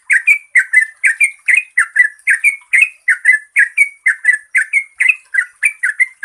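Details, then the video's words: Yellow-vented bulbul song used to prompt birds that sing little, a long fluent rolling series: short bubbly notes around mid pitch, paired and repeated rapidly, about two per second, with a steady faint high hiss above. "Pancingan Trucukan Gacor Ropel Panjang COCOK untuk BURUNG TRUCUK MALAS BUNYI"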